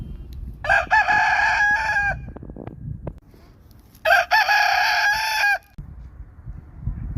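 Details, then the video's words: Rooster crowing twice, each crow a loud harmonic-rich call lasting about one and a half seconds, separated by a short gap with faint clucks and low background rumble. "Rooster Crowing"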